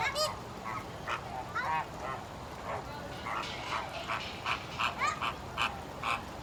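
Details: Captive flamingos at a Massachusetts zoo (Stone Zoo) calling in a chattering group: brief nasal honks, some rising at the end, spaced irregularly about every half second with softer background voices.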